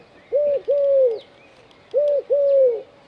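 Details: Two cooing phrases from a Eurasian collared dove sitting on an antenna in Dzierżoniów, each a short coo followed by a longer smooth falling note, with faint bird chirps in the distance.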